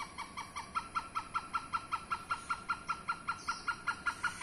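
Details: Wild hornbill, a rare and protected Indonesian bird, heard behind a house: a rapid, regular string of clipped, nasal notes, near three per second, steady in pitch and loudness, over a low background hiss.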